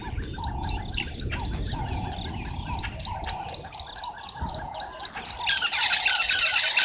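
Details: At 05:30 on 11/08/2023 at Gowrie dam waterhole, Djuma Game Reserve, South Africa, red-billed buffalo weavers gather nesting material; other birds give repeated short chirps and a low coo, then a loud harsh scratchy chatter erupts near the end.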